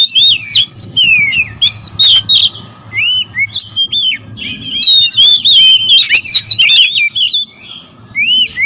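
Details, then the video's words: Agitated oriental magpie-robins sing against one another. Separate clear whistled notes and sharp upslurred chirps come in quick succession, about three a second, with short pauses and a low background hum. "KACER RIBUT"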